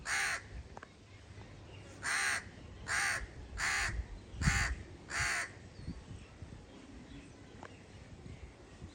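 A crow gives six harsh, hoarse caws, about one every second after an opening call, over a low background rumble.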